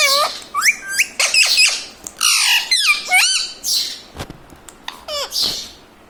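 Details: Pet ring-necked green parrot, said to speak words like mummy and mitthu, gives a rapid string of harsh squawks and hooked, rising nasal notes, some voice-like, in a small room.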